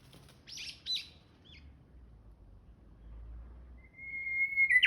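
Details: Japanese bush warbler singing on 26 March 2021: a few short high chirps, then a long steady whistle held on one pitch that sweeps upward at the end, over a low rumbling background.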